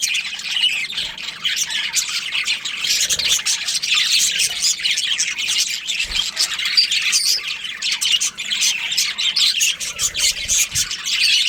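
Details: Colony of budgerigars including a breeding pair, chattering nonstop with scratchy squawks, rapid clicks and warbled twitters from several birds, plus occasional low bumps.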